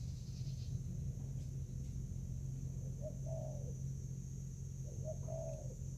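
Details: Spotted dove in Vietnam, dated 24 July 2019, fighting over food: after a few quiet seconds, two low coo phrases, a short note then a longer falling coo, over a persistent low rumble and hum.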